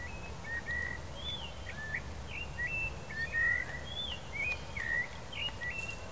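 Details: Male blue dacnis singing: a busy series of short thin chirps and slurred whistled notes, rising and falling, given rapidly and unevenly over six seconds, with a steady low background rumble.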